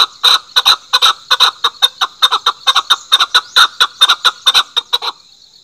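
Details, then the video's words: Chukar (Alectoris chukar) giving a rapid series of harsh, clucking chuck notes, about two dozen in five seconds, grouped in quick pairs and short bursts at an uneven rhythm, then stopping abruptly; no other sounds. "Chakor ki awaaz | Chakor sound"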